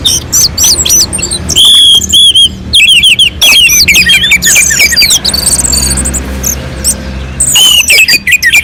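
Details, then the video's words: Orange-headed thrush song from a mountain slope, used to coax other birds into song: shrill, rapidly changing whistles, rising and falling slurs and chattering bursts, with a break midway and a faint low rumble underneath. "kicauan anis merah sangat merdu dan gacor untuk pancingan"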